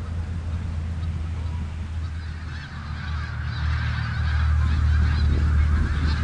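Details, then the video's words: Flock of snow geese on the Richelieu River calling nonstop, a thick mass of overlapping honks that grows louder toward the end, with deep rumbling background noise. "Snow greese on Richelieu r"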